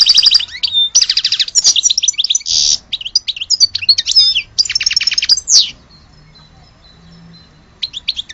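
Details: European goldfinch of Algerian origin sings dense twittering song with rattling trills and a harsh buzzy note, then quiet after about six seconds with a short final burst.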